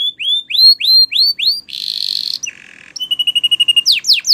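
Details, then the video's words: Spanish Timbrado canary training song: rising whistled notes repeated about twice a second, a harsh buzzy burst, a low rolling rattle, then a quick high trill and falling sweeps. "Canary Singing Bird Sounds"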